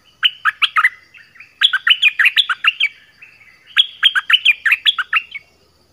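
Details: Captive orange-headed thrush used as a decoy to lure wild birds, singing three rich, strong, aggressive phrases of quick, varied whistled notes with short pauses between, clear and loud against a quiet background.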